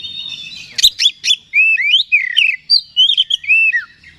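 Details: Oriental magpie-robin song for provoking another bird; a harsh burst of sharp notes, then a string of sweet upslurred and downslurred whistles delivered briskly.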